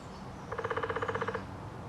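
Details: Downy woodpecker at Lake Dallas, Texas, drumming one short burst of about fifteen rapid, evenly spaced knocks lasting under a second against a low ambient rumble.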